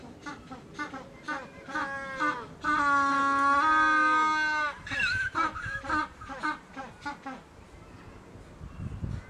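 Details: A male African penguin (Spheniscus demersus) in front of its nest in breeding season gives the ecstatic display song: a run of short honking gasps swells into one long, loud donkey-like bray, then breaks back into wheezy notes.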